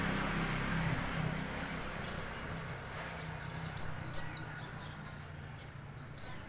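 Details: White-eye calling outdoors: thin, very high chirps that slide sharply downward, given singly or in close pairs at irregular intervals, about six notes in all, over a quiet background hiss.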